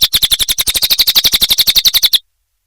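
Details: Small minivet (cililin) training song for songbirds like magpie-robins and canaries: about twenty quick, sharp, high-pitched pulses in a steady rattling trill, ending abruptly in silence.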